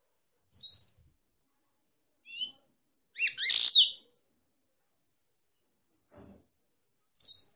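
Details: Female European goldfinch singing: scattered high downslurred chirps and soft notes around a loud, buzzy, twittering burst near the middle, with a final bright chirp after a pause.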